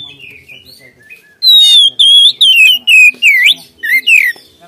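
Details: White-rumped shama singing a rapid string of loud, varied whistled notes, each phrase sliding up or down, delivered in about six quick bursts after a quieter opening of soft twitters.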